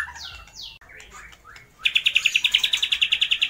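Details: Singing white-rumped shama copying lovebird, kapas tembak and pijantung gunung: a few high downslurred sweeping whistles, then a loud rapid trill of about twenty identical bright notes, roughly twelve per second.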